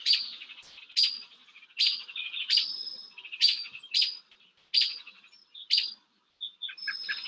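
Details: Small songbirds mobbing an Eastern Screech-Owl: sharp, high, repeated chips and harsh buzzy scolding notes, about one burst per second, in a noisy excited chorus.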